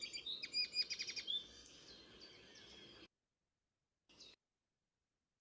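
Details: Linnet twittering: a burst of rapid, sharp chirps and trilled notes for just over a second, then fainter twitters trailing off into quiet.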